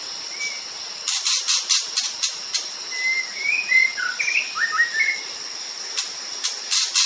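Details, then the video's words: Sumatran white-rumped shama delivering a run of varied whistled notes, some swooping up, some dropping, packed into about two seconds, set against constant high buzzing hiss and rhythmic hissy pulses. "murai batu sumatra. _suara asli alam gacor"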